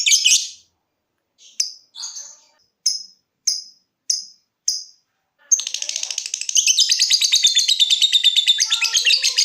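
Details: Lovebird song starting with ngetik ticking and moving into ngekek trilling, meant as a lure for other lovebirds: six separate sharp high ticks spaced about half a second apart, then a long, fast, continuous buzzing trill.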